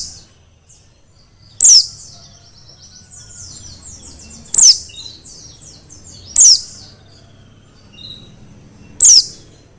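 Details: Wild-caught Mountain white-eye from Merapi: four loud, piercing notes sliding steeply downward, spaced two to three seconds apart, with a faint high twittering chatter running between them.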